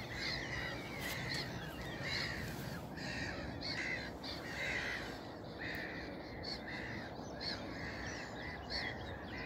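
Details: Black-headed gulls calling in the distance on a heavily misty dawn morning, harsh squawking calls repeated about once a second, over a steady low rumble of wind.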